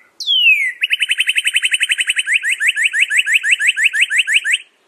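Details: Northern cardinal singing: one loud whistle sliding steeply down, then a fast, even run of short repeated notes that gradually slows into separate slurred chips for about four seconds, with no other sounds.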